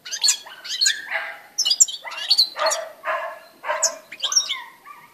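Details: European goldfinch song recorded on 18 December 2016: lively bursts of twittering, buzzy and tinkling notes in quick phrases separated by brief gaps, with sharp high chips and harsher nasal notes mixed in.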